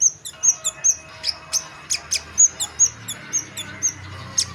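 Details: Chestnut munia in full song, giving high, thin whistled notes in an irregular series of about a dozen over a few seconds, mixed with sharp rising chips.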